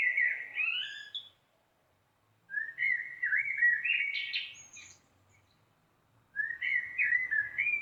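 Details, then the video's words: Common blackbird singing: rich, fluted warbling phrases about a second or two long, each drifting up and down and ending in thin, high twittering notes, separated by pauses of over a second of silence. "Canto de Melro - Som de Melro"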